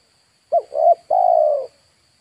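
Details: Spotted dove calling, a recording used to lure wild birds: two short mellow coos followed by a long, drawn-out, slightly falling coo, with a steady faint high electronic whine behind.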